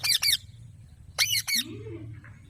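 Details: Two quick pairs of loud, raspy squawks from an Alexandrine parakeet, about a second apart, with a faint low hum behind.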